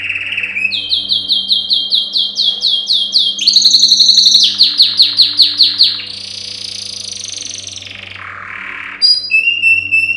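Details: Yellow canary, a male, singing a training song for canaries: rapid series of repeated sweeping chirps, a fast clicking rattle, rolling trills, and a low dipping buzzy roll, then a quick high note; steady faint hum beneath.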